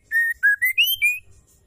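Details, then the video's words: Female white-rumped shama calling to stimulate males to sing and provoke them: a short series of five clear whistled notes, the first two level and slightly falling, the last three rising then level, clean background. "MURAI BETINA GACOR PENGUNDANG Emosi murai jantan"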